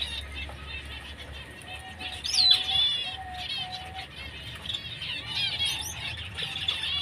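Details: White-headed munia calling: a dense, busy chatter of thin, high twittering notes from several birds at once, with a few steady, lower whistled tones drawn out in the middle of the passage.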